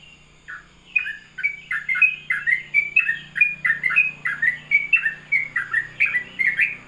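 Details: Rapid morning ropelan song of a sooty-headed bulbul, a string of cheerful, slurred chirps in a brisk, steady beat, over a faint low hum in the background.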